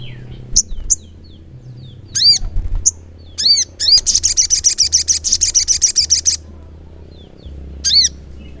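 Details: Continuous 'ngleper' singing of a crimson sunbird (sogok ontong). Thin chips and a few arched notes build into a long rapid trill of about twenty pulses lasting over two seconds, ending with one more arched note.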